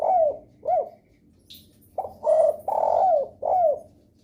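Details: Two short downslurred coos, a brief pause, then a fuller four-note phrase of low, hollow cooing, given by a spotted dove as a lure call to which other doves answer.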